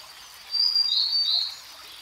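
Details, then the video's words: Grey-headed canary-flycatcher song, a single quick phrase of high, bright whistles that rises and falls slightly over about one second, with constant ambient hiss behind. "Grey Headed Canary Flycatcher Singing"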